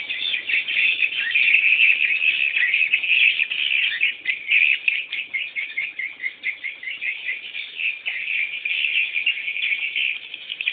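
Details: Loud begging from swiftlet chicks waiting for a parent to return: a thick, nonstop chorus of high, shrill chirps, pulsing slightly in intensity throughout.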